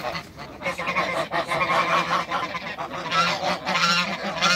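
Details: A backyard group of three Toulouse geese, two males and a female, honking continuously: rough, nasal, overlapping calls in quick succession, with a few clearer higher-pitched honks standing out toward the end.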